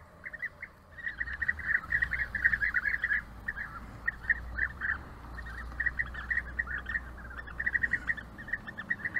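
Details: European bee-eaters during courtship gift-giving: many overlapping rolling, trilled mid-pitched calls chattering almost continuously, several birds at once, with a faint low hum beneath.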